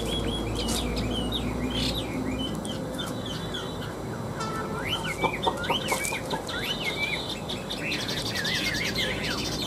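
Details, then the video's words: Two tame caged Chinese hwameis, kept three years, in fighting song: clear looping whistled slurs rising and falling in the second half, over steady low rumbling background noise and clucking-like sounds. "Họa mi hót đấu"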